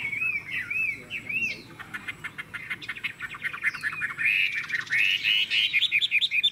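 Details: Captive Chinese hwamei, Vietnam, singing hard: a few looping whistles, a stretch of dry chattering, then an accelerating series of loud repeated whistled notes.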